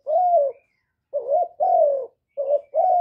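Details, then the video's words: Decoy spotted dove crowing to excite other doves, recorded directly without background noise. A long falling hoot closes one phrase, then two more phrases follow, each a wavering short coo and a drawn-out hoot. "Cu gáy hạp bổi {GÁY GỌI+THÚC+KÈM+GÙ khống} kích bổi hiệu quả. Cu đất gáy, tiếng cu cườm."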